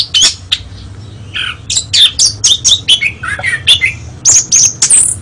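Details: Song of an Oriental magpie-robin, a national contest winner: brisk mix of lower rich whistles and high piercing chirps, jumbled and quick, ending in rising thin whistles, with soft low background hum.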